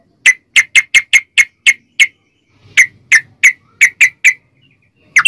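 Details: Sooty-headed bulbul in long rapid ropel song, used as a lure to set other bulbuls singing: a quick run of seven sharp clear notes, a pause, five more, then one last note begins.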